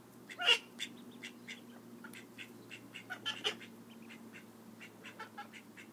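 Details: Call duck babies keep up a steady run of high, short cheeping notes, one louder squeaky peep near the start, with many softer chirps following, over a faint low hum.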